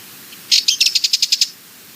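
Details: Rapid chattering rattle of a Sardinian warbler, roughly ten sharp ticking notes strung together in under a second, high and dry, with a tiny faint note just before.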